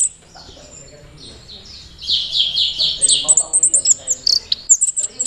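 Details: Caged orange-headed thrush from Mojokerto singing while performing teler to attract a mate, with a young jockey: after a quiet start, a string of descending buzzy notes gives way to rapid high chips.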